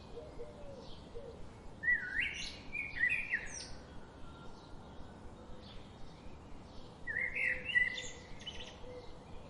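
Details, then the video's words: Birds chirping in a few short bursts around two to four kilohertz, rising then flattening, at roughly two, three and seven seconds, separated by quiet stretches over a steady low background hiss. "birds chirping sound"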